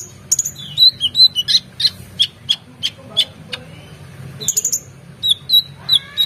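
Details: Agitated, full-voiced song of an oriental magpie-robin, recorded for tutoring competition songbirds: rapid run of short high whistles and chips, about three per second, with a brief rising slur near the end, over a low background hum.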